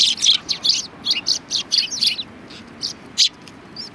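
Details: A quick string of loud, high sparrow chirps, several per second, slowing to a few isolated notes near the end, from sparrows at a Tenmangu shrine.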